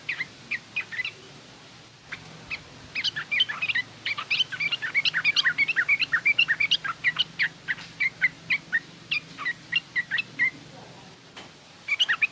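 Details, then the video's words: Yellow-vented bulbul, garuda and rough ngriwik song styles used to tutor young birds: a long chattering stream of sharp, quickly repeated chirps over steady low background hum, with brief gaps and a fresh burst at the end. "suara burung trucukan garuda lanjut trucukan ngriwik kasar ini pas tuk terapi trucuk muda ajar bunyi"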